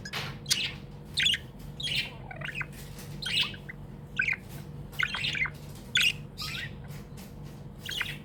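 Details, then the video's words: Happy tame pet budgerigar chirping indoors: a steady run of short, bright, high chirps about every half second to second, with a faint low hum behind. "Happy budgie chirping sounds"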